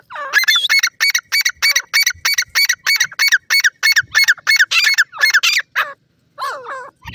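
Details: Fighting pheasant chicks in a forest produce a rapid, steady run of shrill squeaky cheeps, about three per second, before pausing and resuming with a few drawn-out wavering notes.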